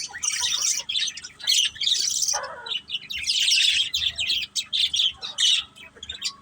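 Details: A budgie family playing, pet birds, chattering in loud bursts of raspy high warbles and chirps, plus one lower buzzy squawk and short pauses between bursts.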